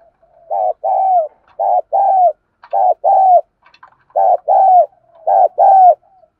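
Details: Decoy spotted dove in the 'thổ' voice, cooing to provoke wild rivals: five evenly spaced pairs of deep, hoarse coos, each a brief note and then a longer falling one, with soft faint notes between.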